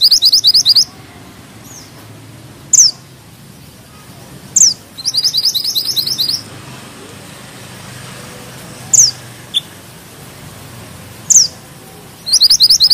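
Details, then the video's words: Bushchat giving rattling bursts of doubled high notes and single sharp upward whistles, spaced out by pauses, over a low hum of road traffic. "Mantenan gunung gacor ngeroll rapat,nembak tajam!!"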